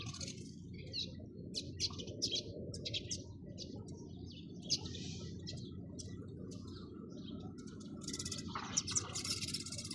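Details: Sparrows chirping in a run of short, separate high tweets, ending in thicker overlapping chatter; faint low hum throughout.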